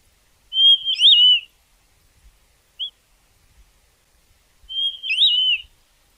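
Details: Gray Monjita (monjita gris), one of Argentina's common birds, gives two high, clear, wavering slurred whistled phrases about four seconds apart, with a brief soft note between them; nothing else is heard.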